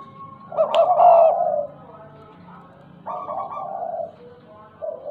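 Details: Spotted dove, tame and stuttering, utters a long, loud, hollow coo, then a second softer drawn-out coo and a short final note, over faint low background hum.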